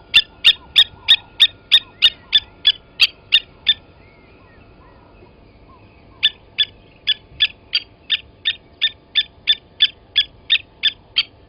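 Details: Blacksmith lapwing at Gowrie dam waterhole, Djuma Game Reserve, Sabi Sand, South Africa, 07:47 on 29 August 2020, as an adult grabbed a chick from the nest and killed it; sharp metallic ticks about three per second, a brief pause, then resuming.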